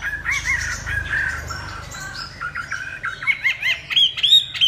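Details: Song of a Chinese hwamei: rapid series of slurred whistled notes, some harsher, building into higher, sharper rising and falling phrases toward the end.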